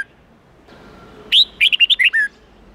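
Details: Red-whiskered bulbul singing a standard forest-style 8-9-10 phrase meant for tutoring young birds. After a quiet lead-in comes a rising whistle followed by five quick, chirpy notes dropping to a final lower, drawn-out tone.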